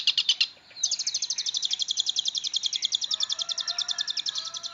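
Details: Long-tailed shrike song with rich content, used as a tutor recording for magpie-robins. A brief chatter and a short pause lead into a long, rapid rattle of dry notes, with faint lower tones near the end.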